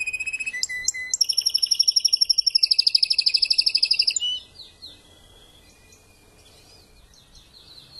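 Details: A timbrado canary breeder that tutors young birds, beginning to unfold its song after moulting: short clipped notes lead into a fast rising-and-falling trill that ends abruptly, followed by faint soft notes.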